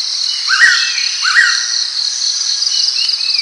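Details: Two quick whistled pitta notes, each swooping up and falling away, close together near the start. A shrill insect chorus hums continuously beneath and around them.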